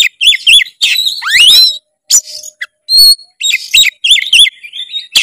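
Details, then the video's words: Vigorous Oriental magpie-robin song with quick twisting whistled notes, a long sweeping upward slur, scattered sharp chips and rapid high chatter, loud and close. "masteran kacer gacor full isian kacer langsung gacor denger suara kacer satu ini"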